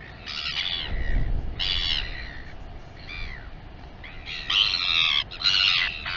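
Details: Royal albatross at its Taiaroa Head colony near Dunedin, New Zealand, live camera: scattered groups of harsh, wavering, nasal calls, softer early and louder near the end, with a low thud.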